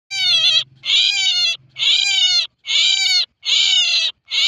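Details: Male common myna giving a harsh, raspy, buzzy call note of about half a second, repeated roughly once a second in a steady series, with a faint low hum underneath.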